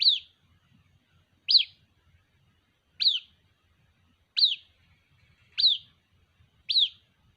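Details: White-breasted waterhen chick calling its mother: six high, thin peeps, each a quick upward flick then a falling tail, repeated about every 1.3 seconds, in otherwise quiet surroundings.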